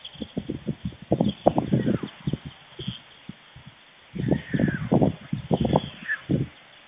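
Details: Two white stork nestlings near fledging at a nest in Fohrde, Germany, 16 July 2019 around 12:22–12:24 pm, when the adult male brought lunch; two bursts of low, rough, knocking pulses, about five per second, with faint thin bird notes behind.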